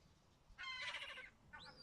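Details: Gull chicks in Pärnu, Estonia, on 20 May 2024. A single harsh, harmonic call lasts about seven tenths of a second. It is followed by a short, rising, squeaky note, with low background hum.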